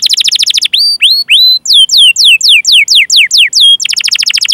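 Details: Canary singing a long chirping, rolling song used to stimulate other canaries to sing: fast buzzy trills open and close the passage, with sharply rising whistled notes and a series of loud downslurred whistles in between.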